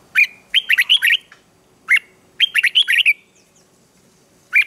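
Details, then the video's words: Bulbul morning song meant to stimulate wild-caught red-whiskered bulbuls to sing competitively: short clear phrases of quick whistled notes, repeated after brief pauses, ending on a single rising call. "luyện giọng chào mào hót sáng kích bổi hót đấu căng lửa"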